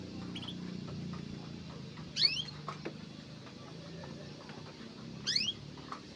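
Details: Mugimaki flycatcher on migration; two short, quick upward-sweeping whistled notes spaced about three seconds apart, soft low rumble and faint ticks behind.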